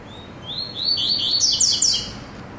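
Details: Caged pet male coleiro (Double-collared Seedeater) on its first test outing: a clear high phrase of whistled notes that start as a thin rising line, then quicken into a series of bright slurred chirps over about 1.5 seconds, with faint background hiss.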